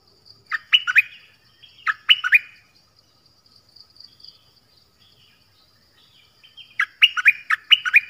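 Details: Nok dok taeng, a Thai songbird, sings short clusters of two or three quick falling whistles, separated by gaps with soft faint twitters, then closes with a longer, louder run of rapid slurred notes.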